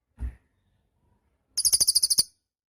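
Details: Cililin singing, suitable for teaching other songbirds: a dull thump, a pause, then a brief sharp high-pitched buzzing trill of around nine rapid pulses.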